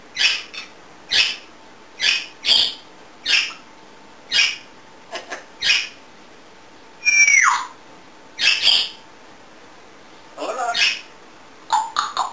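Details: Affectionate, chatty pet African grey parrot indoors producing spaced sharp clicks roughly every second, a falling whistled note midway, and a rough squawk near the end.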